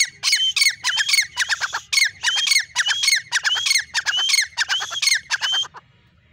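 A male francolin gives a harsh, grating call, repeating a squeaky rising phrase about twice a second for nearly six seconds before stopping.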